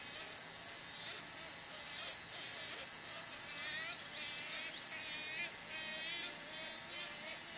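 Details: Wood Stork nestlings, a pair in Big Bay Swamp at Birdsong in 2012, call while being fed by an adult. Rapid, quavering, buzzy notes come in overlapping bursts over a constant shrill insect hum.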